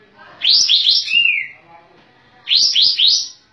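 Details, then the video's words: Two bubbly outbursts from a Sooty-headed bulbul singing hard with tail spread, each a quick run of three falling notes, the first ending in a downslurred whistle. "Masteran Kapas Tembak"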